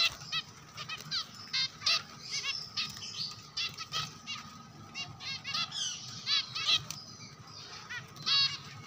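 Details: Several Java sparrows chattering almost continuously: rapid high chips and stacked, down-slurred notes in tight clusters, with occasional louder peaks and a low background hum.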